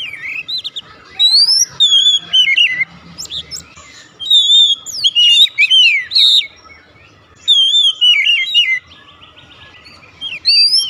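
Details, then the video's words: Oriental magpie-robin (kacer) singing in the 'nembak' style straight away: loud bursts of clear, varied whistles, sharply rising and falling slurs between phrases, with short pauses and a faint low rumble behind. "kacer langsung nembak"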